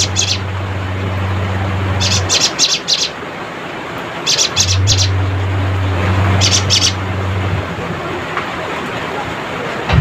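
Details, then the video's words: Cinereous tit calling rivals with a chattering song: short bursts of three to four high, rapid ticking notes repeated every two seconds or so, over a steady low droning hum that comes and goes. "suara crecetan burung GELATIK batu gacor"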